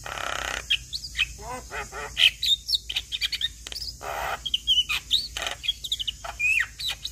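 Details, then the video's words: Javan myna (jalak kebo), white-eyed type, in a chattering ocehan song used to tutor young mynas: rapid varied whistles, sharp upslurred notes and rasping bursts, densely packed, with a faint steady hum below. "MAsteran Burung Jalak Muda Agar Cepat Gacor Mompa Dengan Ocehan Jalak kebo Mata Putih"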